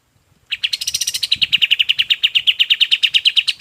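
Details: Golden-bellied gerygone song used for training other songbirds: after half a second of quiet, a rapid, steady run of short, bright chips about eight per second continues to the end, with faint low rustling beneath.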